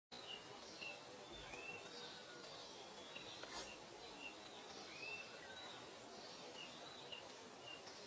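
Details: Three little ringed plovers (Charadrius dubius) chasing one another in a vacant lot with tails fanned, in a courtship display contest, about eight brief, high, thin whistled notes, some slurred downward, over steady hiss; 10 May 2021.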